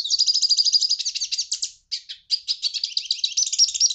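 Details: A hooded siskin sings a rapid, high-pitched twitter of sweet chirps and buzzy notes, breaking off for a brief pause before the warbling stream resumes.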